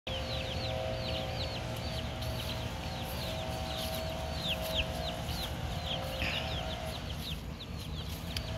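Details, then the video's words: Two-week-old baby chicks in the USA: a steady stream of thin, high peeps, each a quick rising or falling note, several overlapping birds, over constant low rumbling background noise. "Baby chicks- 2 weeks old"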